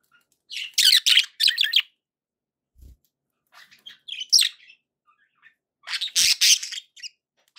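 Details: Pet budgerigars in happy spirits chirp in loud, buzzy clusters of three or four notes, with quieter twittering in between and a soft low thump.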